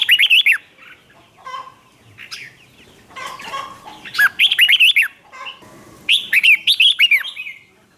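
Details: Red-whiskered bulbul performing hót ché, a contest song used to stir rival birds into singing back; several quick bursts of liquid, swooping whistled notes, some short fragments between them, and a final vigorous phrase.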